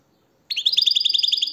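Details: Goldfinch song in a short phrase: a rising opening note, then a quick, even chain of ringing high twitters, roughly a dozen notes in a second, with a clean, quiet background.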